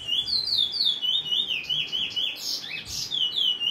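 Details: Bullfinch in free singing: a steady run of clear, wavering whistled notes, each sliding down then up, repeated about three per second at a high pitch, with a brief harsher burst midway.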